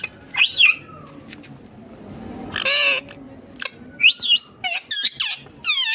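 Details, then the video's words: A pet ringneck (rose-ringed) parakeet gives a string of harsh, rasping squawks and sharp rising-falling screeches, each about half a second long, with short pauses between. "My Ringneck Green Parrot Natural Sounds / Natural Voice"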